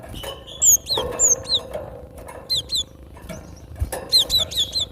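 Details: Natural song of the gelatik batu, or cinereous tit: clear high whistles falling in pitch, delivered in short rhythmic clusters with gaps between, plus a few faint clicks and constant low background noise.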